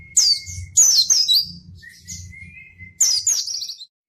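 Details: A white-eye sings energetically, a recording meant to coax lazy white-eyes into singing: three sharp bursts of high, tumbling chirps separated by a level, drawn-out thin whistle, with soft low hum beneath.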